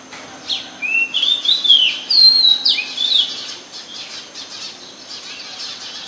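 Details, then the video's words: Oriental magpie-robin singing in Ubon Ratchathani, Thailand, on 14 October 2021, recorded with a Nikon P1000: a run of clear whistled phrases, sliding up and down, that grows louder midway and then fades to softer notes. "นกกางเขนบ้าน Oriental Magpie Robin (singing)"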